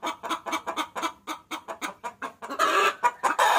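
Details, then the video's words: Hen calling the cock bird as a lure: about a dozen separate, evenly paced clucks, then a burst of harsher, louder cackling squawks. "Suara Pikat Ayam Betina Memanggil Jantan"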